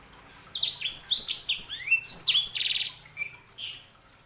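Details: Canary hybrid (sanger) giving a quick tumbling phrase of downslurred whistles and a short buzzy trill, with a faint low hum underneath.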